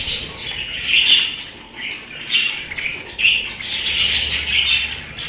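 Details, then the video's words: Pet budgerigars chattering, a dense run of warbled chirps and squawky notes around the upper-middle range, rising and falling in bursts with short quieter gaps. "আমার পোষা প্রাণী বাজরিগার"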